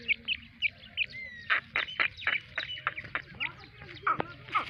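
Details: Black francolin pair with four-day-old chicks: loud, harsh, clipped notes in quick bursts, roughly three or four a second, mixed with thinner high chirps and a low background hum.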